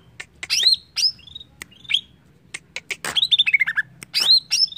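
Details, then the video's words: Greater green leafbird song played to make another bird sing: scattered sharp clicks and upward-sweeping whistles, then a fast descending series of clear notes. "Cucak ijo langsung bunyi dengar ini!!"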